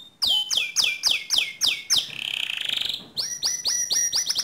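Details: Canary song meant to train other canaries, made of sharp descending whistled notes repeated about four times a second, broken by a buzzy rolled trill, then more quick falling whistles.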